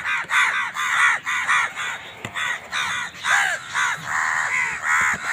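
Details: Crows squabbling for food give rapid harsh caws, about two a second, each a short arched, nasal cry, calls overlapping in a noisy bickering chorus.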